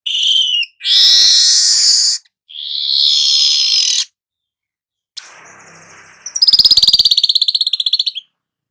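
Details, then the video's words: Golden-headed weaver, a song recording for tutoring songbirds: a whistle, two long harsh buzzes, a soft rustling stretch, then a rapid, fairly uneven rattling trill of high ticking notes. "suara manyar kepala emas cocok buat Masteran"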